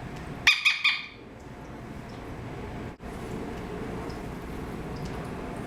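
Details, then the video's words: Pet male eclectus parrot, 13 years old and recently adopted, kept indoors: three quick, harsh, harmonic squawk-like notes in under a second, followed by a quiet room hum. "Eclectus Parrot Talking and Making Sounds"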